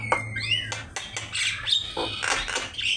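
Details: Javan myna on a master recording for training birds to sing: a curving whistled upslur, then grating squawks and a final rising whistle, over a faint low hum.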